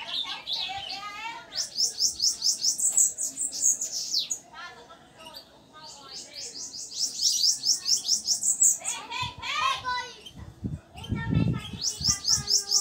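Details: A leg-ringed bananaquit puts on a show of its 'cigarra' song: high, buzzy, hissing, insect-like phrases.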